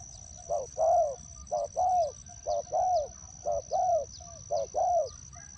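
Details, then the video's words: Decoy spotted dove in a ground trap calling in rhythmic groups: short coo then a drawn-out rounded coo, repeated four times in quick succession over a continuous high-pitched insect-like hum. "นกเขาใหญ่สายต่อดิน,BirdTrap,The Sound Of the dove"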